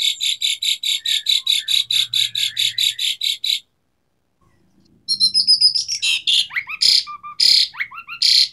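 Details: Asian pied starling singing loudly: a long run of harsh, evenly repeated buzzy bursts about four per second, a brief silence, then a jumble of squeaky whistles and raspy shrieks.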